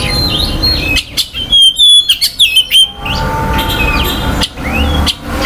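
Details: Oriental magpie-robin song meant to quickly stir other males' aggression and breeding urge: clear whistled notes and rising slurs around a burst of sharp chirps, with a steady low rumble underneath.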